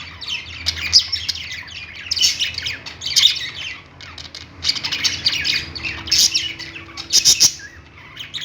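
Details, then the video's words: Several pet-store budgies chatter on a perch, giving scratchy chirps and sharp squeaks in irregular clusters, a few piercing notes near the end, over a faint constant low hum. "budgies singing on perch | parakeet chirping sounds in pet store"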